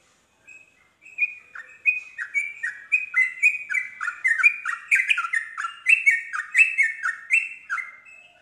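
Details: Yellow-vented bulbul singing to draw other bulbuls into song: a fast, continuous run of bubbly, liquid notes stepping up and down, each a short slurred chirp repeated several times a second for about seven seconds, with sharp high ticks mixed in.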